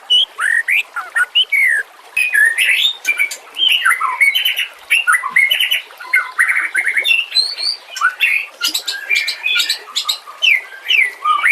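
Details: White-rumped shama in full song for training other songbirds, a dense, varied stream of chattering, whistled and scratchy phrases with high sharp notes, nearly continuous with short gaps.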